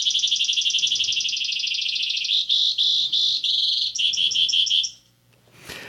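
A Brewer's Sparrow sings a long, canary-like song of high rapid trills, shifting through several speeds and pitches for about five seconds before a brief noise.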